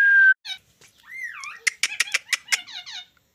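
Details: Pet parrot indoors gives a short level whistle, then a rising and falling warble, followed by rapid harsh squeaky notes repeated several times in quick succession.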